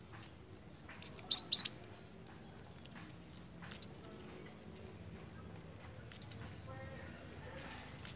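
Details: Pied fantail in breeding condition, giving a brief burst of sharp, harsh high notes, then thin, high ticks spaced irregularly about once a second over a quiet background.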